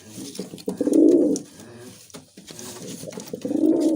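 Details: Musaldom pigeon cooing indoors: two low, throaty, rolling coos, each about three-quarters of a second long, with a short gap between them. Faint rustling and clicks can be heard around the calls.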